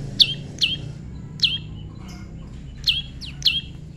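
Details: Tame prinia in a natural pairing session: a few loud, bright chirps sweeping downward, spaced irregularly with short pauses, with faint low background noise.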